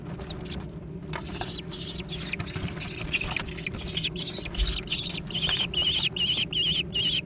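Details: Young American kestrels compete for food. After a quiet, scuffling start, harsh quavering screams begin and keep coming in quick succession, growing louder and more regular toward the end.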